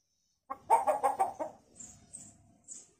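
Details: Captive hill myna mimicking a hen: a quick run of five or six throaty clucks, then fading, with a few faint high hissy notes afterward.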